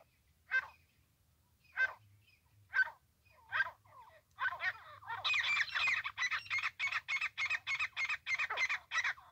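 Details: Francolin recorded where it is trapped: loud rasping notes spaced about a second apart, then quickening into a fast, rhythmic series of harsh, ringing calls.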